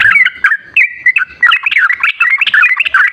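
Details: Sooty-headed bulbul song used as a lure to get a reluctant kept bird to sing: short, bubbly whistled notes rising and falling, with quick gaps between phrases and one held flat whistle.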